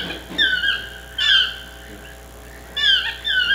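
Chestnut-mandibled toucan giving loud, ringing yelps, each note sliding downward, in uneven bursts of two or three over a few seconds.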